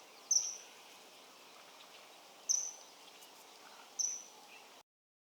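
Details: Common kingfisher (Alcedo atthis) recorded in the wild, giving three sharp, very high, shrill whistles, each brief, about two seconds apart, over a faint background hiss.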